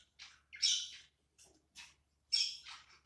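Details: Pair of pet budgerigars relaxing together in winter; five short, harsh, scratchy chirps in about three seconds, separated by brief silences, in a quiet indoor space.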